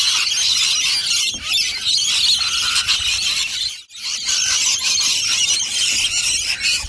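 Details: A lunchtime flock of rainbow lorikeets at nectar dishes keeps up rapid, irregular high screeching, many birds at once, broken by a near-silent gap just before four seconds before the chorus resumes.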